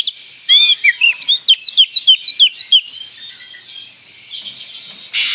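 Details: Lure song of an oriental magpie-robin, used to provoke rival birds: a few mixed notes, then a rapid run of about a dozen identical sweet downslurred whistles, trailing into quiet with a soft rustle at the end.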